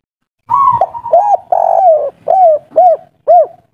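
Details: Agitated spotted dove of local wild stock singing the 'kuk 3' style: a brief buzzy opening, then six deep rounded coos, the third long and sliding downward, the last ones short and evenly spaced.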